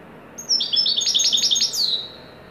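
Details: European goldfinch from Morocco singing in the Widani style, a joyful top performance: quick liquid twittering notes rattled off in a tight series, ending in a clear whistled note that slides downward.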